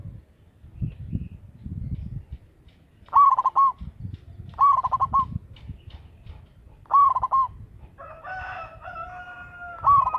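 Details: Local zebra dove with a big voice, kept as a lure bird, repeats clipped, rolling coo phrases about every two seconds; a rooster's long crow enters near the end.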